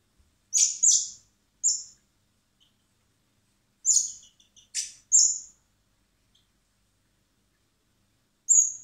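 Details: Common blackbird (Turdus merula) nestlings hand-reared in spring at a wildlife recovery centre before release; groups of high whistles and raspy begging squeaks, separated by silent pauses of a few seconds.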